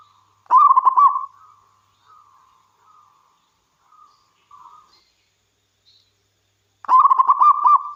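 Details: Actively singing local wild zebra dove, kept as a lure to prompt other doves to sing: two loud rolling, bubbling coo phrases six seconds apart, with several soft short coos scattered in between.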